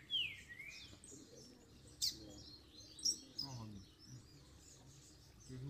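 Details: Post-moult double-collared seedeater singing to fire up other males: an opening dipping then rising whistle, followed by sharp high clicks and scattered twitters over steady background hum.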